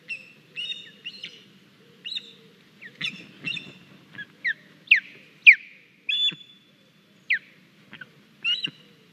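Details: Young Estonian osprey at its nest on 9 August 2021, one of the juveniles arriving with a big fish; a series of high, sharp chirping and whistled calls, some rising, given in irregular bursts about twice a second, with low background rumble.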